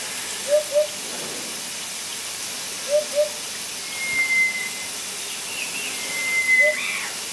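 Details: An African hoopoe calling its mate gives soft, low, hollow paired 'hoop-hoop' notes, repeated about every two seconds, over a steady hiss with a few thin high whistles.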